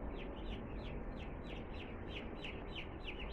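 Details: Newly arrived two-day-old chickens peep continuously, a dense stream of short high chirps that drop in pitch, several birds calling at once over a constant low hum.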